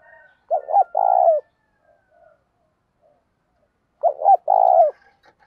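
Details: Decoy spotted dove calls to provoke fighting. Two clear phrases about three and a half seconds apart, each two clipped notes then a long mellow coo, with faint quiet notes between.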